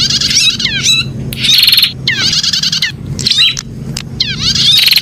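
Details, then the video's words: Prinia, used as a bird-keeper's 'pijat' stimulating sound: loud, harsh, buzzy bursts of rapid repeated notes, each about half a second long, with short pauses between them and faint low background hum. "suara pijat burung prenjak"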